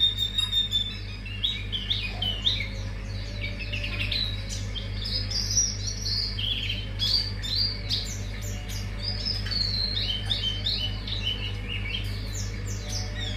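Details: Mangrove whistler song used as a lure to draw out a caged bird's full repertoire: a long run of clear, downslurred whistled notes, each falling quickly, with steady low hum beneath.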